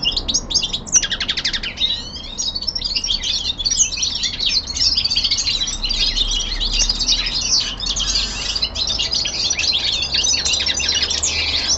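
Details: Common linnet (Linaria cannabina), kept as a songbird at home, sings a fast, continuous twittering of high chirps, trills and buzzy notes without pauses, perhaps several birds at once, over a faint low hum.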